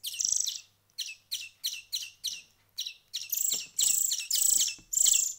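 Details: Hand-fed songbird chicks after a week of hand feeding: a loud opening burst, then a series of short spaced high chips, building to long harsh begging bursts, with a faint low hum.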